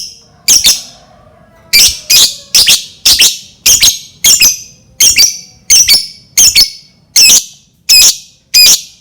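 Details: Lovebird giving a long, fairly regular series of shrill, harsh squawks, many doubled, over about nine seconds, intended to make other lovebirds start singing; quiet background with faint hum.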